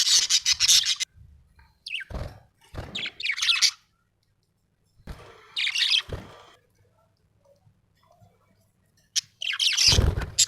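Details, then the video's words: Happy budgerigar chirping indoors: bursts of bright, scratchy high-pitched chatter and squawky notes, broken by pauses, with a few low thumps between phrases. "happy budgie chirping sound"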